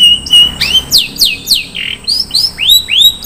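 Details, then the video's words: Long-tailed shrike in 'isian mewah' song, its lavishly filled style: a fast, busy run of high whistles, sharp descending sweeps and arching slurs, about three per second, with a brief harsher buzzy note midway. "SUARA BURUNG CENDET - ISIAN MEWAH"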